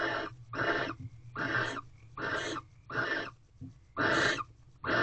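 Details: Nighttime mating session of a barn owl pair inside a corral owl box, 19 February 2023, 10:28 pm, the male arriving with a large rodent. Loud, breathy, screechy rasps repeat about every three-quarters of a second, some stronger than others.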